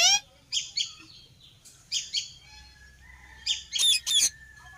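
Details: Indian ringneck parakeet, a pet parrot, uttering clipped chirps in twos and threes separated by short gaps, ending with a louder burst of shrill screechy notes; no clear words and little background noise.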